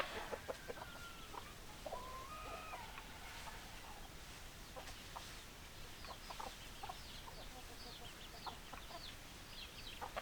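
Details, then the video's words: Chickens: drawn-out, level, nasal calls and short clucks in the first half, then a busy run of high, quick, downward-slurred peeps. "Chicken Sounds Noises Hens Clucking Roosters Crowing"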